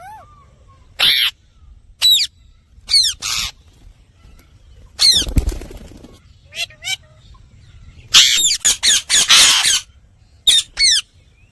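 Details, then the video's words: Indian ringneck parakeet vocalizing: loud harsh screeches and squawks in short bursts, a dense cluster of rapid squawks near the end, with a low thump and faint background noise between bursts. "Parrot Talking Natural Sounds"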